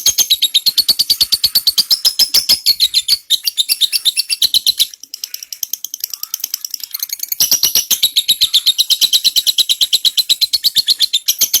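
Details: Extended ngekek trill of a lovebird, made for training white-rumped shamas; a dense, shrill chatter of high notes goes on almost twelve seconds, softening briefly in the middle before returning strongly.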